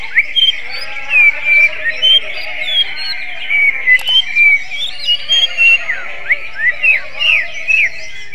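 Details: Greater green leafbird with a song reminiscent of the magpie robin, delivering a long series of sharp, bright whistles, many steeply rising or falling slurs, with short pauses between phrases and a brief click near the middle.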